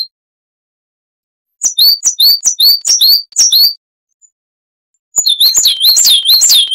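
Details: Song of a coal tit, species found in Europe, parts of Africa and Russia, used to tutor cage birds: crisp high double notes repeated about six times, a pause, then a denser, faster burst.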